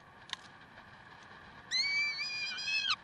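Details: Peregrine falcon at Karlsruhe, 30 May 2010, 7:27: after quiet with a couple of faint clicks, a single loud, harmonic screeching wail held for just over a second, level then falling briefly at the end.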